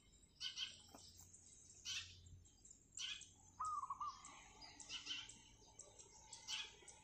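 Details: A wild zebra dove sings from roof tiles in the morning, lively and persistent; a single fast, tremulous string of coos midway, surrounded by repeated harsh chirps from other birds.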